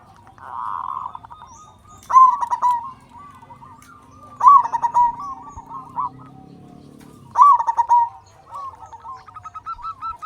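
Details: Loud local zebra dove singing in Indonesia as a tutor to prompt other doves to sing. Three loud bursts of quick stuttering notes, each ending in a clear coo, come every two to three seconds over a faint low drone.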